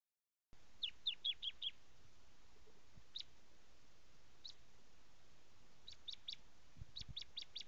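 Bar-winged Prinia giving quick bursts of five high, thin chipping notes, then scattered single chips and another rapid run, over a low background rumble.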